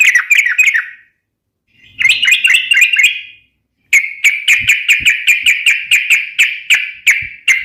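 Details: Sooty-headed bulbul singing energetically, recorded as a lure and as a tutor for training other birds: bursts of bubbly, chattering whistled notes, then a long run of rapid sharp chirps repeated steadily.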